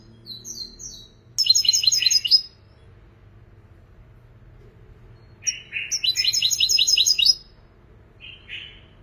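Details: European goldfinch praised as a creative singer: short high notes lead into two loud bursts of rapid, buzzy, tinkling twitters about four seconds apart, with a short rasping call near the end.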